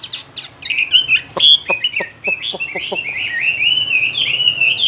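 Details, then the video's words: A Chinese hwamei kept in a cage sings a rich, continuous warble of high fluttering whistles. A series of crisp clicks runs underneath in the middle section. "Làm thế nào để nuôi được chú họa mi hót như này"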